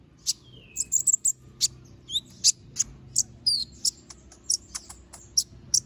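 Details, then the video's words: Little spiderhunter, known locally as kolibri ninja, singing actively: a rapid run of sharp, very high squeaky chips, with a short descending whistle early on and a few upward-flicked notes mid-phrase. "Masteran Suara Burung Konin Gacor Bongkar Isian Suara Tajam"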